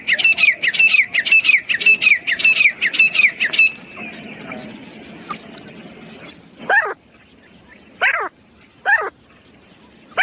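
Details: Francolin (teetar) in the jungle calls as a hunting sound: a rapid run of sharp, descending chirps for nearly four seconds, then quiet with a few separate harsh, rasping bursts.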